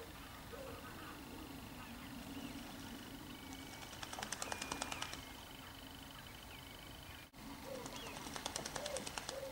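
Water rail giving two bursts of harsh, rapid ticking pulses, each about a second and a half long, over a steady low background hum.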